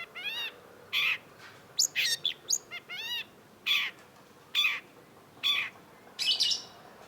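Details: Long-tailed shrike (cendet), gacor masteran singing: harsh scratchy bursts roughly every second mixed with clusters of sharp chips and a short twittering phrase, all fairly loud against a quiet background.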